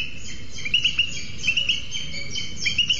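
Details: At a booted eagle nest in Sierra de Guadarrama National Park, where the male brings a lizard to the incubating female, several short, sharp upslurred whistles come in small clusters against a steady low hiss from the webcam.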